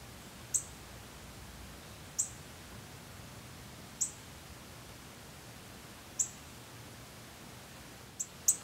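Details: Northern cardinal nestlings in the nest calling for food as the female brings food. Faint, very high, sharp single chips recur about every one and a half to two seconds over a soft steady background hiss.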